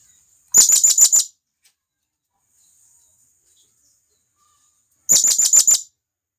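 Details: Two loud bursts of five fast, shrill, high chirps, several seconds apart, from a wild blue-crowned hanging parrot calling its companions in the forest; faint background otherwise.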